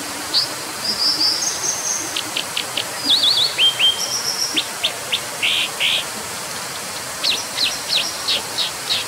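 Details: Brown dipper (Cinclus pallasii) giving a varied run of high, sharp notes: quick clicks, short whistled trills, a zigzag phrase and two broad buzzy notes, all over steady rushing background noise.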